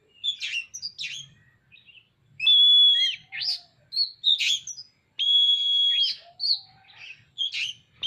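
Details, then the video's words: An Oriental magpie-robin spreading its tail sings busily: bursts of harsh chirps, then two sustained pure whistles about a second long, separated and followed by rapid varied notes. "Burung Kacer gacor buka ekor"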